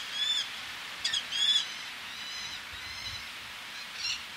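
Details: Close male Eleonora's falcon with females calling from ledges, sea in the background: several separate grating, nasal notes, some louder and nearer, others fainter, over low steady wash.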